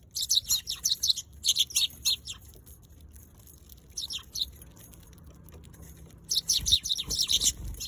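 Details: Eurasian tree sparrows in chattering bursts of high chirps, separated by quiet gaps of a second or more, then resuming in a dense run.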